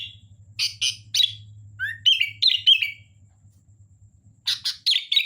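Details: Sooty-headed bulbul, called kutilang, singing energetically: harsh chirps alternating with short rising whistles and warbled notes near the middle, then more rasping chirps, over a faint low hum.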